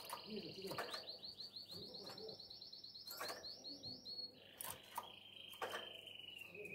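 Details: Singing canary in breeding condition calling to a female: a long run of rapid, bubbling high notes that slide down into a steady, slightly falling trill, with soft background clicks.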